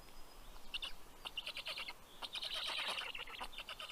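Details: Black stork nestlings in southern Estonia's Karula National Park, recorded by nest camera at 11:00 am on 11 June 2023 as the male delivers fish; scratchy rasping calls build into a dense, continuous chorus.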